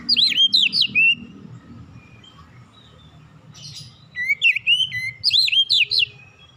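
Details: Oriental magpie-robin song used to provoke untrained birds into singing: loud, clear whistled phrases with sweeping rises and falls in two groups, separated by a quieter pause with soft background hum.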